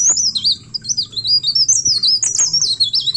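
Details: Leaf warbler singing, used to lure other birds into song: fast high twittering of rapid rising and falling whistled slurs, strung together almost without pause, over a steady low hum.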